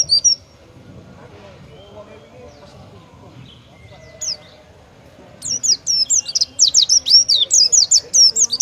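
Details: Oriental white-eye (pleci) in vigorous 'tembakan' competition song favoured by judges: after a long near-silent stretch of low background murmur, a sudden burst of very high, sharp, slurred chirps rattled out rapidly to the end.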